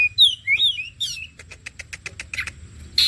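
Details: Oriental magpie-robin bait sound to prompt song: a few looping whistled slurs and a buzzy note, then an evenly spaced run of dry clicks ending in a harsh rasp.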